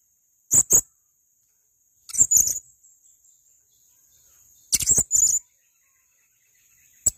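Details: Male blue-crowned hanging parrot uttering paired and clustered piercing high squeaks, spaced by gaps of up to two seconds, ending with one short chip.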